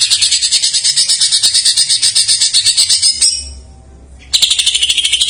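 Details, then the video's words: Greater green leafbird song with jamtrok-style filler (isian), played as a lure for untrained or silent birds: dense high buzzy trills of rapid pulses about four per second, a brief pause, then the rapid chatter resumes. "JAMTROK MANIA : cucak ijo isian , pancingan paling ampuh untuk burung bahan / macet"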